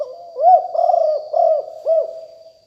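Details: Aggressive-strain spotted dove calling as a lure: a continuous throaty phrase of four rounded coos, each rising and falling, fading out at the end. A faint high whine runs underneath.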